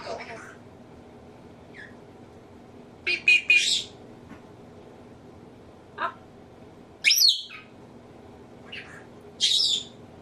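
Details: Pet African grey parrot mimicking human sneezes and nose blowing, giving several short, harsh, hissy bursts spaced a few seconds apart in a quiet room.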